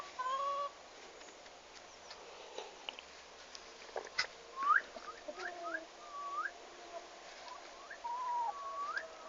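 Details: Newly arrived farm turkeys, recorded on arrival day, 11 August 2015; scattered short whistles with sharp upward flicks, spaced irregularly over faint background hiss.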